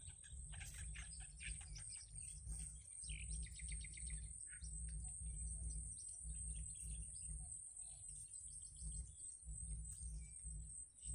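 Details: Yellow bittern nestlings in the wild being fed by the mother. Quick runs of thin chirps cluster early, then thin out to scattered ticks, over a pulsing low hum and a high steady hiss.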